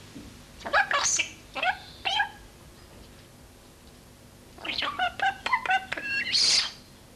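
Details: Common starling (Sturnus vulgaris), a young pet bird in Corsica who whistles, talks and laughs, gives bursts of harmonic, voice-like chatter and squeaks mimicking household speech and sounds, in two groups of phrases with a quiet pause between; vocal mimicry.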